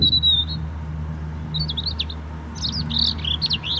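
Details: Robin song from Hope Park in Keswick, Cumbria: a thin sustained whistle, a pause, then quick high warbling notes rising and falling in a rapid cluster, with a faint low hum behind.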